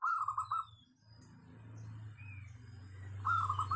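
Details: Zebra dove of local wild stock with a crystal-clear, dense voice, used as a lure. A quick stuttering trill opens and closes the clip, separated by a steady low hum and faint high chirps.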